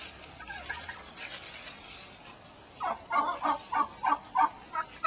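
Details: Mad hen inside a chicken-wire pen; after a quiet noisy stretch she bursts into a rapid string of rough, turkey-like squawks about three per second.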